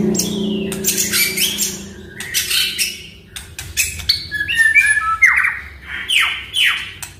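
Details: Song of a caged Oriental magpie-robin, played to stimulate a silent bird: scattered chirps give way to loud descending whistled sweeps repeated about once a second, over low hum.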